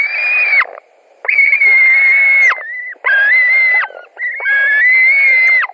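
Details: At a Latvian white-tailed eagle nest on a July 2020 evening, as fish is delivered and two eagles compete for it: four loud, sustained, slightly wavering whistled screams with brief pauses between them.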